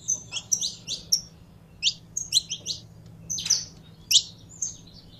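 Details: Saffron finch, a kept bird being warmed up to sing, giving scattered high bright chirps and short twittering bursts with uneven pauses over faint low background hum.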